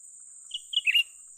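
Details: Young cucak ranting bulbul lured during trapping. A quick series of bright high chirps rises to a short warbled burst, with a persistent high-pitched whine behind.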